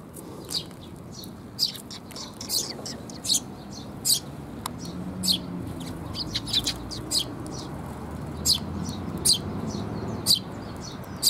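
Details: Young Eurasian tree sparrows that have just left the nest call as their parents feed them, 6 May 2021. Sharp, high chirps come irregularly, often in pairs, over a continuous low background rumble.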